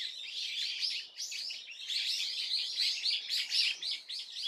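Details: Swallow heard on 30 April 2024, giving rapid high chirps that run together into a busy, scratchy twitter, about four notes a second, with no break and no other sounds.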